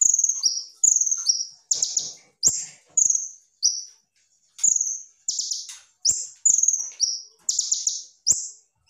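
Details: Kolibri ninja sunbird 'tembakan' tutor song, clear voice and tight speed: repeated paired high whistles, the second lower, interspersed with rattling buzzy bursts, one short silence midway.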